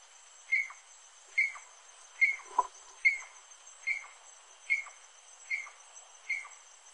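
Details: Saracura-do-mangue (rufous-necked wood rail) repeating a short, sharp, slightly downslurred note at a regular pace of about seventy per minute, with a constant faint high-pitched hiss behind.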